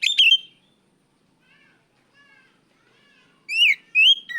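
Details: Oriental magpie-robin, kacer, calling out a rival with sharp bright whistles, faint soft notes in between, then two loud upslurred ringing whistles near the end.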